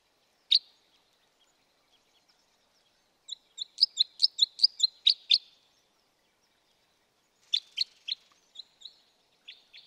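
A red crossbill gives sharp, high 'kip' notes, one alone and then quick runs of seven to nine in a row, against a quiet background.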